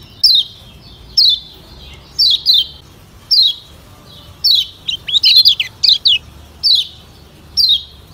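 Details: Lemon-bellied white-eye (Lombok), used as a lure to prompt other white-eyes to sing: high, thin, down-slurred chirps about once a second, some paired, with a brief quick jumble midway; otherwise quiet.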